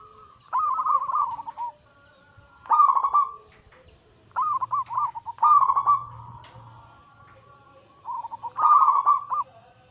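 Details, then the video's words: Zebra dove lure recording of anggungan cooing: short, bright gurgling phrases come in bursts about every two seconds, separated by near silence, with a faint low droning hum in the middle. "Masteran Pancingan harian burung perkutut Anggungan paling ampuh langsung emosi gacor"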